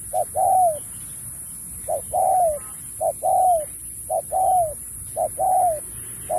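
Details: Spotted dove in a 2024 singing match, performing the Thúc kèm Bo style with shifting phrasing. Each phrase is a short low coo followed by a longer arched coo that rises slightly and then falls. About six phrases come in steady succession over a constant background hiss.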